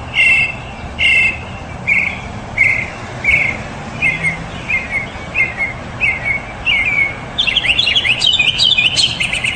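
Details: Mockingbird repeating one short slurred phrase about ten times at a steady pace, then switching to a burst of rapid, higher twittering notes at the end, over a constant rushing background noise.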